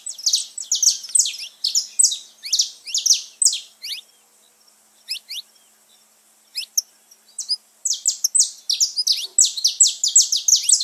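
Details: Saffron finch song for stimulating pet birds: fast, high chirping phrases, a quiet pause with a few scattered notes, then another dense burst of sharp repeated notes.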